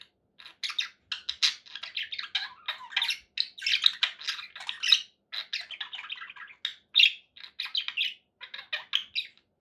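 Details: Steady twittering chatter from pet budgerigars indoors: rapid buzzy chirps and squeaky notes run almost without a break, with a few louder sharp calls.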